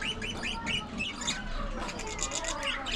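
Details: Budgerigars kept as an aviary colony, with quick repeated short rising chirps and a softer chattering murmur from the flock behind them.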